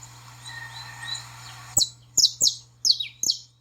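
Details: Saffron finch chirping to stir up a pet bird: after faint background twitters, five strong high down-slurred chirps come in quick succession, roughly every third of a second, over a low steady hum.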